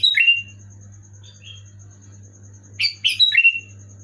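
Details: Loud, clear sooty-headed bulbul song used to prompt a caged bird into singing; one short bubbly phrase, a long pause with faint notes, then a fuller three-note whistled flourish over a constant low hum.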